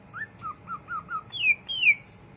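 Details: Greater green leafbird's ngriwik song: a run of five short, evenly spaced whistled slurs, then two longer, louder descending whistles.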